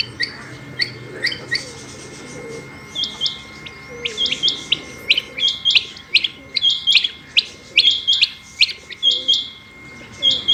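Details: Female Rain Quail, or batair, calling steadily: high, sharp chips grouped in twos and threes, coming about once a second for ten seconds, growing denser midway, over a faint background hum.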